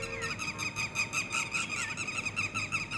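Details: Young red-wattled lapwings peeping: short, high, slightly wavering notes repeated rapidly and unevenly, with faint low rumble behind.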